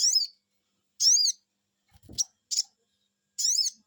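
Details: Sogon bird cuiit cuiit lure call: three strong high whistled notes spaced about a second apart, with two fainter shorter chips and a low thud between them.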